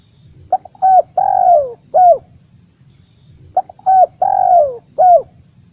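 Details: Spotted dove call played as a lure for trapping: two phrases, each a short soft note followed by three mellow coos, the middle one long and falling, repeated about every three seconds over a low rumble.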